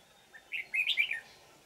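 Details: Wild red-whiskered bulbul from the forest, bell-voiced, during decoy trapping on 20 December 2018: a single short phrase of four or five loud, clear whistled notes rising and dipping, with a faint low hum underneath.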